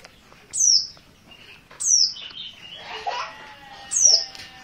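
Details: Oriental white-eye of the dakun merapi type, an untrained bird, calling insistently: three sharp, high, downward-sliding chirps about every one and a half seconds, with softer lower twittering and a faint tonal whistle in between.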